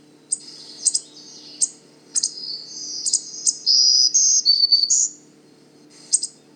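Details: A male Black-throated Green Warbler, a long-distance migrant arrived in late April, at Manchester Cedar Swamp Preserve, New Hampshire, gives sharp high chips, then its "zee zee zoo zoo zee" song of thin buzzy rising and falling notes over a low steady hum.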